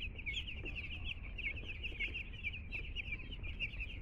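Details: Two-day-old chicks just arrived at a home: continuous overlapping high peeping from many chicks, quick cheeps packed together, over a low steady rumble.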